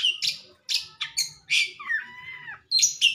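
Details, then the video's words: Caged white-rumped shama singing right after its cage cover is removed: loud bursts of harsh, buzzy high notes alternating with clear whistled slurs that glide downward, phrases separated by short pauses. "burung kacer habis buka krodong"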